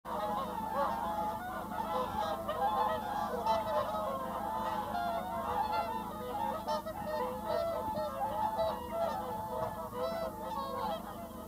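A flock of whooper swans trumpets without pause, many loud honking, bugle-like calls overlapping into a continuous chorus over a low background hum.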